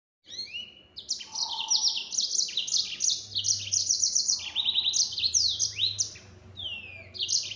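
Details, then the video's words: Yellow-fronted canary singing a fast, continuous nembak-style song at full speed: rapid high trills and sweeping downslurred notes, with brief pauses between bursts and a faint low hum underneath. "Burung Mozambik Gacor Suara Nembak Full Speed.."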